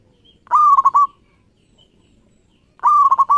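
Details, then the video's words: Local zebra dove in vigorous song, played as a lure to stimulate other doves: a mellow, hollow coo that breaks into a quick stuttering run of rolling notes, the phrase repeated after about two seconds of silence. "Suara Perkutut Lokal Gacor Pas Buat Pancingan"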